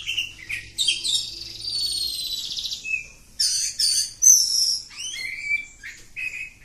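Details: Oriental magpie-robin of the village type in long continuous song: a fast buzzing trill with a thin whistle over it, then chattering bursts and sharp downslurred whistled notes.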